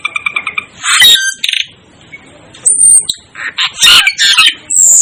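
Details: Asian glossy starling calling with short stacked chirps, then harsh buzzy squawks and thin high sustained whistles, delivered in irregular bursts.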